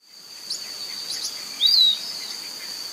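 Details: Piratic flycatcher recorded in Serro, Minas Gerais, Brazil: a single short, slurred whistle that rises then drops, heard once over a steady high insect drone.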